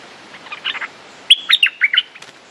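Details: Streak-eared bulbul, a territorial male spoiling for a fight: soft distant chatter first, then a loud phrase of five or six sharp, bubbly notes, with faint clicks after.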